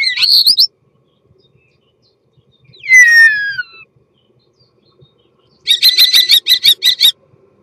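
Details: Mating song of a common starling: a wavering squeal, then a long downward-sliding whistle, then a fast dry rattle of clicking pulses, separated by silences.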